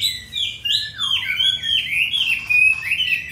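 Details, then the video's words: A purebred Hwamei, caged in Hanoi, Vietnam, singing strongly with a forest voice: flowing, nearly unbroken melodic whistles that rise and fall in smooth connected phrases. "Họa mi 5633b đẹp giọng rừng hay mau mỏ"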